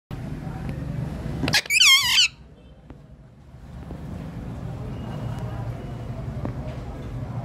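A ringneck parakeet gives one short, squeaky, warbling burst of talk under a second long, with a steady low traffic rumble before and after.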